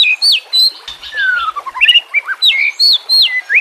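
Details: White-rumped shama song used as a training recording with nature sounds and trickling water: loud, clear whistled phrases, falling slurs and sharp upward notes in quick bursts, with a faint steady hiss of water behind.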